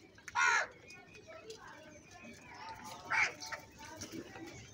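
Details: Crow cawing around feeding time: a harsh, grating caw, a pause of nearly three seconds, then a second similar caw over low background chatter.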